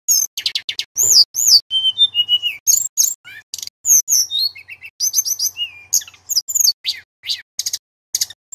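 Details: Loud, varied song of a male Sunda robin, recorded as tutor material for magpie-robins; quick high trills, whistled slurs and sharp chips follow one another almost without pause.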